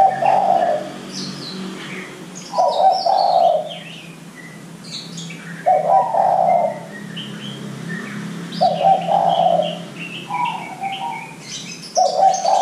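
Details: Young zebra doves are meant to answer this lure song: five loud rolling coo phrases at uneven gaps, a soft low hum beneath, and scattered high chirping of other birds.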